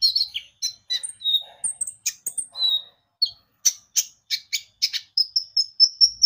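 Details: Lure song of a Javan white-eye to get birds singing: a lively jumble of high whistled notes and buzzy chirps, a brief pause, then rapid bright chirps closing with a series of clear, level high whistles.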